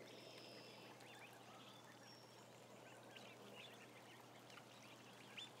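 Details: About a thousand ducklings on a live camera, a dense chorus of short, high upslurred peeps overlapping continuously above a steady low hum and background noise.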